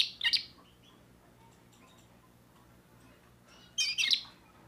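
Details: Young timbrado canary, a 2024 bird, singing with a new repertoire: two dense, loud bursts of high twittering and chattering notes at the start and near the end, with near silence and a faint hum between them.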